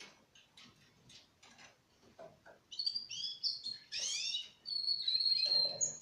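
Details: Four-month-old Russian canary: soft scratchy chatter builds into loud rolling trills and a clear sustained whistle, over faint background noise.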